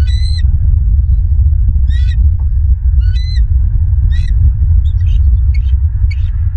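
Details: Bald eagles at their nest in Southwest Florida, filmed by a live nest camera at dawn, 06:43 on 28 January 2023: high, thin, harmonic chirping calls given in short bursts about once a second over a constant deep rumble of wind and camera noise.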